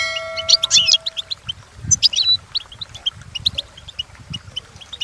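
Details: European goldfinch song for training purposes: brisk twittering chirps and short trills, opening with a brief steady electronic tone, low rumble in the background.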